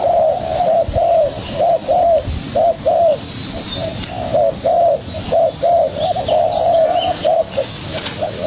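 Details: Young spotted dove fiercely answering a decoy bird, giving soft, low coos in a quick, uneven series of short hooting notes, roughly one a second, over a faint hiss.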